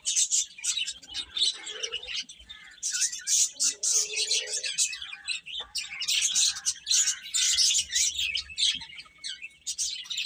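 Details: Chicks produce a busy chorus of high, sharp peeps in uneven bursts, with occasional softer mid-pitched sounds between them.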